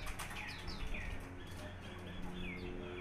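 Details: Golden-fronted leafbird of the Vietnamese type, known as hijau vietnam, giving clear whistled downslurred notes in quick series over a loud, steady low electrical hum.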